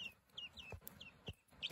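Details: Young lavender guineafowl keets raised indoors, to be penned next to broody hens; quick high falling peeps in a loose series, with a few soft knocks and low thumps.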